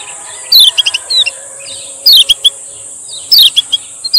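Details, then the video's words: Male Lemon-bellied white-eye, Lombok, recorded to coax silent birds into song: three groups of a sharp falling chirp followed by quick softer ticks, spaced over a second apart, over a constant high-pitched whine. "SUARA BURUNG KECIAL KUNING MASTERAN KECIAL KUNING PANCINGAN KECIAL GACOR SUPER JITU"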